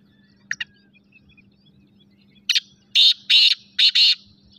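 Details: Black francolin, known locally as kala teetar: two faint chirps, then a loud, harsh, grating series of five clipped notes in quick succession over about two seconds, over a steady low hum.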